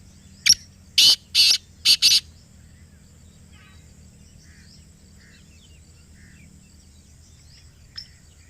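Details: A black partridge from Pakistan calls close by with one grating phrase: a brief sharp note, then four harsh scratchy notes in quick succession. Near the end a faint single note follows against a quiet natural background.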